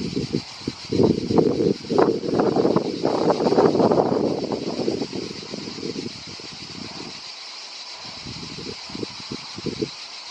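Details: European turtle dove in Croatia giving a low, soft purring song in rolled bursts that thin into separate phrases, over a steady high hiss of insects or distant noise.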